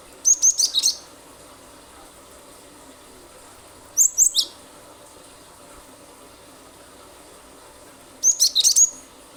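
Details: Lively cinereous tit (glatik batu) in shooting-style song, meant to make other birds sing along: three bursts of fast, very high chirps, roughly four seconds apart, each packed with clipped notes over a low hiss.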